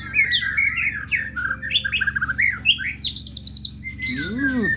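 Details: White-rumped shama (murai batu) singing pancingan murai pastrol: a rich run of varied whistled phrases, wavering and looping notes, then bright high rapid trills. A low arched sweep sounds near the end over a constant low hum.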